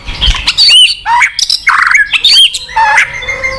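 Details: White-rumped shama (murai batu) song, used as a lure to prompt a silent shama to sing: loud, varied phrases of clear whistled notes, rising and falling sweeps and short squeaky bursts separated by brief pauses.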